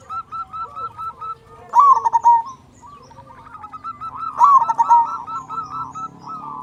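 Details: Big-voiced local zebra dove singing as a lure for other zebra doves. Evenly spaced short coos lead into loud rapid rattling phrases with a ringing end note, twice, over a low murmur.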